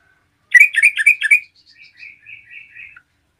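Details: Yellow-vented bulbul singing to provoke rival bulbuls: a fast run of bubbly whistled notes followed by softer, lower warbling notes trailing off.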